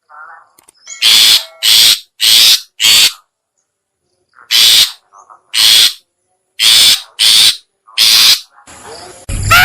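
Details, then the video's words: Long-tailed shrike lure call aimed at other shrikes: harsh grating notes in bursts of three or four, with short pauses, ending in a sudden burst of noise. "suara pikat burung cendet/pentet/toet toet"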